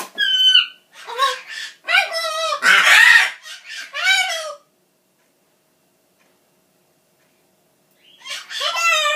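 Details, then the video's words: Caged pet macaw's tantrum on thinking its owner is leaving: a rapid run of loud, raspy shouted words with wavering pitch for four seconds, silence, then another shout starting. "Macaw, Milo, yelling "Buh bye!!", giving kisses, and talkin"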